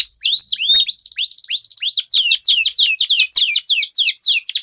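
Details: Canaries in a singing duel with long rolls, used as a lure for competition birds: a few sharp upswept whistles, then an even train of ringing downslurred notes about four per second.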